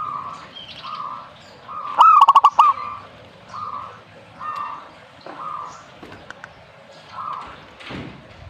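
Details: Zebra dove singing one loud phrase: a sharp coo followed by quick, stuttering pulses and a final roll. Many softer coos from other doves repeat regularly throughout, about every second.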